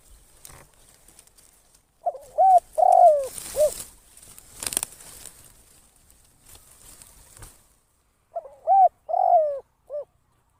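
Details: Decoy spotted dove for trapping, 'kharom' style. A hooting coo phrase ending in a short rounded note, then rustling and clattering, then a second matching phrase of mellow, falling coos.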